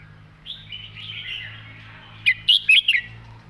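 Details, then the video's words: A red-whiskered bulbul sings its master song with nicely phrased passages: a soft warbling run, then four loud, clear, bubbly whistled phrases in quick succession, rising and falling in pitch. "นกกรงหัวจุก"เพลงแม่บท เดินสำนวนสวย"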